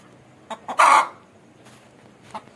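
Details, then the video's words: An Aseel hen gives a loud, harsh squawking cluck, with a few short soft clucks before and after it. "Hen Sound of Aseel"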